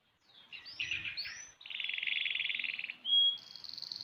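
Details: A six-month-old canary sings two rising whistled sweeps, a buzzy rapid trill, then a pure high whistle and a thin, higher sustained note.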